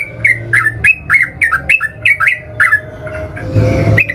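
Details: Yellow-vented bulbul (trucukan) as a singing lure: a run of loud squawky chirps with a falling twist, about three per second, pausing before a final note, with low background noise.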